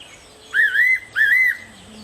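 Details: Fairy pitta in the morning giving two clear, slightly wavering whistled notes, each about half a second long with a short pause between; faint low hum behind.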